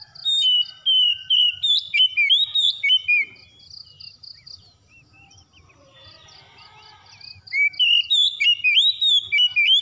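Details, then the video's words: Oriental magpie-robin song used as therapy to get a silent bird singing again: loud whistled, sliding phrases in two bursts separated by quiet, with a steady series of high, cricket-like pulses running underneath. "TERAPI KACER MACET BUNYI CEPAT ON GACOR"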